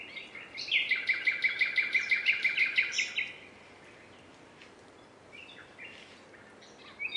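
A nightingale delivers a rapid run of about fourteen loud, ringing repeated notes over two and a half seconds, followed by quieter scattered notes against faint background hiss.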